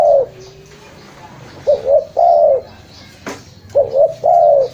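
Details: Spotted dove cooing used for luring: the tail of one long coo, then two full phrases, each a quick two-note coo followed by a drawn-out level coo, with a sharp click between them.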